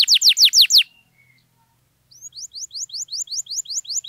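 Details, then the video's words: Canary singing to spur silent canaries into response: a short burst of falling whistles, a brief pause, then a quick series of rising whistled notes repeated steadily. "KENARI GACOR MANTAP DURASI PANJANG, AMPUH BUAT PANCINGAN KENARI DIAM LANGSUNG RESPON"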